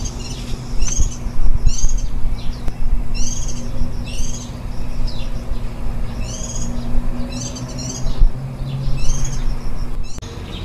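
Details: Warbling white-eye at its nest on 23 July 2018, ten days into raising nestlings and one day before they fledged. Groups of bright, high, downslurred chirps come in bursts about every second, over a steady low hum.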